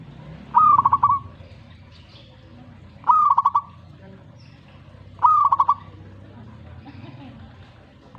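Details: Zebra dove singing in reaction to a master recording: a clear whistled phrase near one pitch, an opening note, a run of quick staccato coos and a held ending, repeated three times about every two and a half seconds over low background hum.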